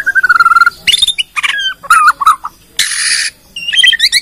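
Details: Loud, close Bornean white-rumped shama from Indonesia pouring out its repertoire to lure other shamas into song: a level whistled trill, then quick slurred whistles, a harsh rasping burst and a closing string of rapid chirps.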